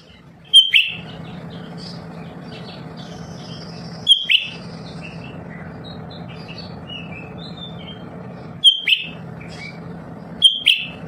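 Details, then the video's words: Lesser green leafbird kept indoors as a tireless singer to stimulate other birds. Four whistled-then-falling phrases at uneven gaps, soft twittering notes in between, all over a continuous low droning hum. "Berkicau sepanjang waktu"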